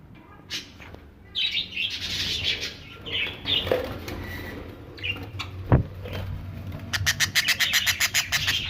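Budgerigars chatter with scratchy, high chirps, ending in a quick run of sharp repeated ticks.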